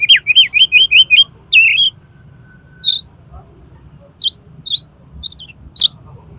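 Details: Konslet song of an oriental magpie-robin, meant to coax another magpie-robin into opening its tail: a fast series of six looping whistled notes, then spaced sharp high chirps, with a low hum beneath.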